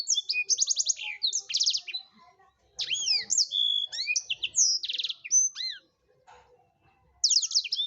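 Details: Blackthroat in prolific, gacor-style song used for tutoring other songbirds: rapid high trills and buzzy rattles alternate with sharp rising and falling whistled notes, delivered in dense bursts with brief pauses between phrases.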